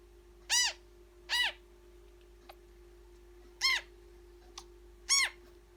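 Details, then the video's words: Newborn African grey parrot chick being fed, giving four loud, rasping, harmonic-rich calls that arch up then down, spaced irregularly about one to two seconds apart, with a couple of faint clicks between and a steady low electrical hum throughout. "African Grey Parrot newborn"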